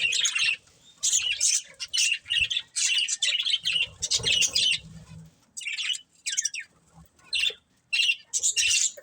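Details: A breeding pair of budgerigars chirps in short, separated bursts of bright, raspy twittering, each lasting about half a second, with quiet gaps between them and faint low background hum.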